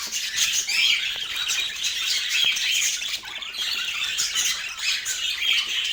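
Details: Autumn morning feeding time for parakeets. A steady stream of high twittering, with short sliding notes and harsh squawks on top, continues without break.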